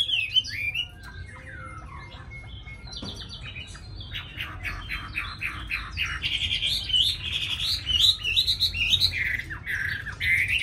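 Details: Tamed Chinese hwamei kept caged in Hanoi, Vietnam, noted for its good voice: scattered chirps and a fast train of short clicking notes give way to loud, sweet, warbling whistles in the second half.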